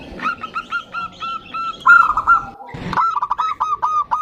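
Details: Female zebra dove calling a male: a string of short ringing coos, a louder rolled trill, a burst of noise, then a quick stuttering series of bright notes over steady low background hum.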